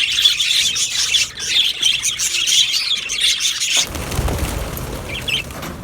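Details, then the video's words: Colony of budgerigars in an aviary, 12 July 2025: busy high-pitched chirping and warbling for nearly four seconds, then it cuts to a low rumbling background with a few faint chirps. "Australian Budgie Chirping Sounds"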